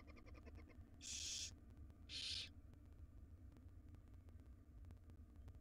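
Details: Nestling barn owls beg while their mother feeds them a jird in a wild nest box. A brief tonal chitter opens, followed by two strong, harsh hissing screeches about a second apart, over low hum.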